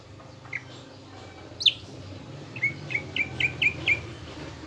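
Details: Fainter Greater green leafbird lure song for building a fighting mood in caged birds: a lone sharp note, then six short whistled chirps repeated about every quarter second over a soft background hum.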